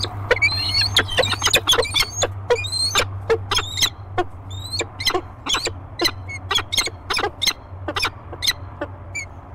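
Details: A pair of peregrine falcons meeting in the nest box at Great Spirit Bluff on 15 March 2023 give rapid, sharp, high chipping calls, about two a second and uneven, over a steady low hum.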